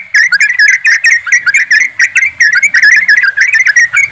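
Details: Flock of yellow-vented bulbuls giving fast 'ropelan' song used to stimulate birds into singing; quick chattering run of short warbled whistles, steady and unbroken, with a faint low rumble beneath.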